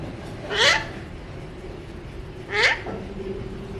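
Alexandrine parakeet giving two loud, harsh calls that sweep upward, about two seconds apart, over a faint steady background hum.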